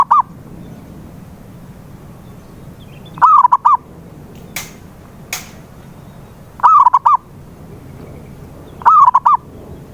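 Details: Zebra dove calls used to coax a silent dove into singing: four cooing phrases of a drawn note and quick stuttering coos, irregularly spaced, with two sharp clicks between them and a low hum throughout.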